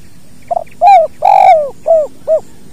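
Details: Natural recording of a spotted dove's "kuk dua" song, made for training other birds. A brief stuttered double note opens, followed by two long mellow coos sagging at their ends and two short hooted coos, against near silence.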